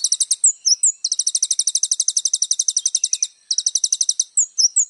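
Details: Little spiderhunter in full song used to train young birds: an almost continuous, very fast, high trill of evenly spaced pulses running for over two seconds, with a few thin downslurred notes between bursts.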